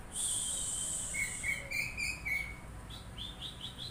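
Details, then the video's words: Oriental magpie-robin reacting to a sound with a long high sustained note, then a quick series of slurred whistles at a lower pitch, then faint higher chirps fading out. "KACER LANGSUNG NYAUT MENDENGAR SUARA INI"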